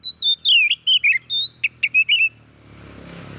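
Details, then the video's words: Oriental magpie-robin singing to stir other magpie-robins: a fast, continuous string of high whistled notes with quick dips and trills for about two seconds, followed by a soft hiss. "bikin Kacer Lain ikut emosi coba buktikan dengan suara ini"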